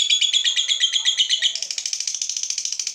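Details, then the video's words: A fighter lovebird stirred up by a rival gives a ngekek, a fast ringing trill of sharp beats that softens and blurs into a buzzier chatter before fading. "Lovebird FIGHTER terpancing Panas, nyaut Ngetik lanjut Ngekek Panjang"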